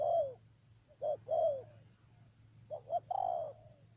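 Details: Trapping decoy spotted dove in Cà Mau's Đầm Dơi district, March 2019: a falling coo, a pause, then two short notes and a longer downslurred coo, over a low electrical hum.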